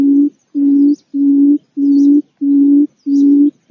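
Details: Barred buttonquail calling with a series of seven low, steady, humming notes. Each lasts about half a second and they come in an even rhythm, with faint high chirps from other birds above.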